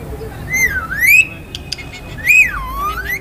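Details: A pet parrot (mithu) gives two loud, swooping whistled phrases that dip and rise sharply, like a talking bird repeating a word, recorded on a phone; faint background hum.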